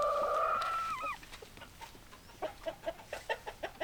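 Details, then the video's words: Rooster crows a drawn-out harmonic note that bends downward at the end, then hens cluck in short, evenly spaced pulses, roughly three per second, against faint background noise. "Chicken Sounds Noises Hens Clucking Roosters Crowing"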